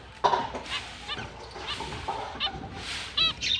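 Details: Finches beginning their mating season on October 29, 2023, uttering scattered short nasal chirps spaced about a second apart over a hissing background, ending with a brighter high squeak.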